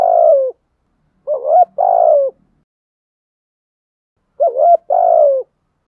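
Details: Coos of a spotted dove in the 'thổ sấm' voice style, meant to provoke wild doves into cooing during the rainy, windy season. Two-part phrases, a brief quavering rise followed by a drawn-out descending coo, with long quiet gaps between.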